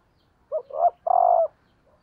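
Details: Female spotted dove used as a decoy, calling to stimulate males: a short three-part coo, two quick soft notes then a longer, steady, hollow final coo. The background is quiet.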